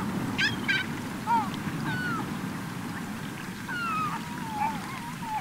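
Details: Gulls gathering at the end of summer on a beach in Cotentin, 7 September 2024: scattered mewing and yelping calls, some sliding downward, several overlapping, over steady low surf rumble.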